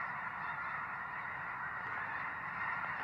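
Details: Snow goose flock in full voice, countless overlapping honks blending into a continuous, even roar of nasal yelps.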